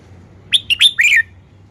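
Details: Red-whiskered bulbul giving a short phrase of loud, bubbly whistled notes, rising then falling, over a low steady hum.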